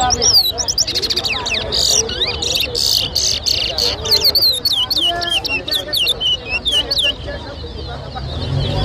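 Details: Competition singing by towa towa birds at Lusignan, Guyana, in 2023: dense bursts of sharp, sweeping whistles and chips, repeated in quick runs with brief gaps, mixed with clicks and background voices.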